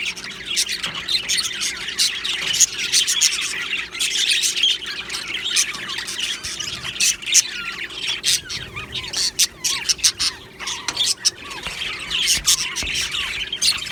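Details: Budgie colony in an aviary chirping and squawking nonstop, many birds warbling over one another in rapid, rasping bursts, with a scatter of sharp clicks through the busy chorus.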